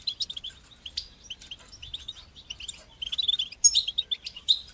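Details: Goldfinch singing bitbita and sitsita phrases, used as training song for young goldfinches: a continuous high twittering stream of quick chirps and short trills, with a denser, louder burst of tinkling notes in the last second and a half.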